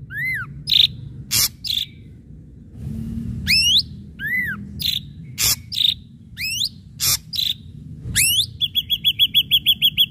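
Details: Lively ashy drongo song with sharp striking notes: harsh rasps, falling and rising whistled slurs in spaced bursts, ending in a quick run of high repeated chips; soft low rumble underneath.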